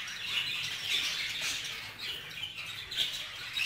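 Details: Group-housed budgerigars, a male acting jealous toward a female: brief, high, squeaky chirps and warbling from several birds, fairly steady throughout.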